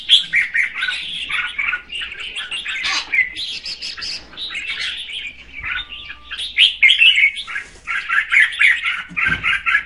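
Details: Quieter, steady chatter from a female red-whiskered bulbul singing to stimulate the male, with a continuous stream of warbled chirps and whistles swelling louder near the end.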